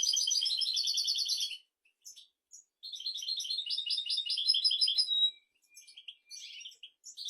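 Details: Goldfinch song for teaching goldfinches and canaries: two lively bursts of rapid twittering and buzzy trills, with short chirps between and after them.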